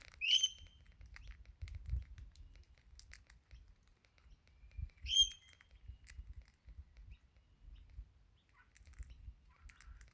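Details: Wild Australian Crimson Rosella that comes most mornings seemingly calling for food before taking sunflower seeds from a hand; two short, bright whistled notes about five seconds apart, with faint ticking and a low rumble behind.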